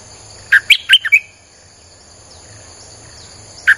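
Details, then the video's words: Streak-eared bulbul singing for luring wild birds, one rapid phrase of five bright chirped notes, then quiet with a steady high hum, a further note starting at the end. "เสียงนกดอกแตงEp.159จ้าวขุนศึก สับดอกแบบไม่พัก!!ใช้เปิดล่อนกป่า Suara pikat merbah lekir"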